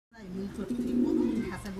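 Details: Two pigeons (Columba livia) perched on top of a cage; a pigeon gives a low, soft, throaty coo that swells and holds steady for over a second.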